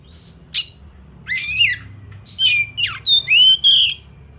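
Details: Oriental magpie-robin (kacer) in fighting mode, delivering sharp whistles, buzzy downslurred notes and a long clear whistled phrase, in bursts that come closer together toward the end.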